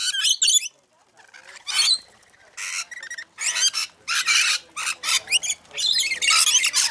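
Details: Many rainbow lorikeets squabbling at a feeding frenzy in Mount Tamborine, Queensland, Australia: harsh high screeches in separate bursts, a quiet pause near the start, then rapid overlapping shrieks.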